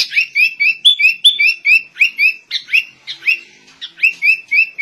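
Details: Sooty-headed bulbul imitating white-rumped shama: a steady, lively stream of short rising whistled notes, about three per second, with a few harsher chattering notes mixed in.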